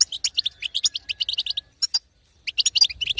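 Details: Female European goldfinch batbata, used to make a quiet male sing: quick high chirps in a tight run, a near-silent gap around two seconds, then another brisk burst of twittering.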